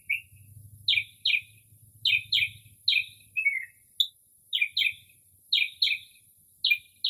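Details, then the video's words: Late-night northern mockingbird in early spring, mimicking other bird calls: doubled, buzzy descending chirps given in rapid pairs, a short lower warbling phrase, and more paired chirps, with a soft low hum early on. "Northern Mockingbird Mimics Different Bird Calls"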